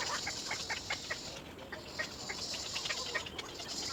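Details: Baby little egret calling for its mother, giving rapid, raspy chattering notes in an uneven run, repeated again and again, with faint hiss behind.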